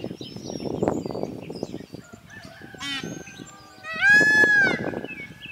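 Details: At sunrise a peacock sunbathing beside a weather vane calls into the wind with a loud, brassy, nasal honk near the end, while a rooster crows at the same time over steady wind.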